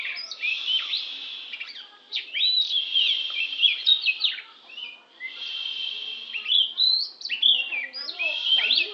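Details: Oriental magpie-robin from Lampung pouring out a long varied song of sweet whistles, sharp slurs and held tones, with one short break before resuming.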